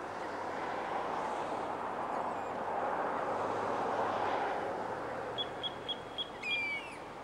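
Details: Juvenile common redshank calling: a quick, even series of five short, high piping notes near the end, followed by a louder downslurred ringing note, over a steady broad rushing background noise.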